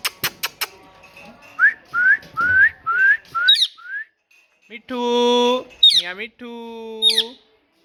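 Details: Parrot talking: a few sharp clicks, a series of short rising whistles, then two long buzzy, nasal, speech-like syllables broken by a high squeak.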